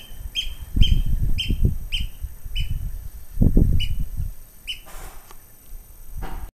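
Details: A Eurasian oystercatcher displays continually in a hotel garden at Hellnar on 18 June 2009, giving loud, shrill piping notes, each slightly falling, about ten in six seconds at an uneven pace, over low wind rumble.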